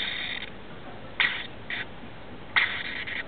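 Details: Rainbow lorikeets, a male, a female and their two offspring, settling down for the night in a house roof; harsh, rasping screeches in short bursts, one fading at the start then three more, over a quiet hiss.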